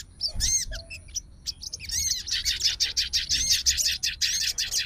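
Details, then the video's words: Sooty-headed bulbul of fighter style, stirred up and calling an opponent: a few clear rising whistles, then a steady, fast, rhythmic chatter of bright chirps lasting several seconds. "SOGON FIGHTER LANGSUNG RESPON DENGAR SUARA SOGON GACOR"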